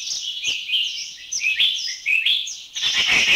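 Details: Grey Treepie from Thailand giving loud, harsh, chattering calls: a dense run of high, scratchy chirps and metallic notes strung together with little pause, ending in a rough, noisy burst.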